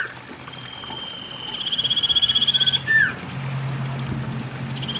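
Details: Common iora singing as a lure for stressed or silent cage birds: a rising, buzzy pulsed trill that grows louder, then a clear whistled note sliding down, against trickling water and a low hum.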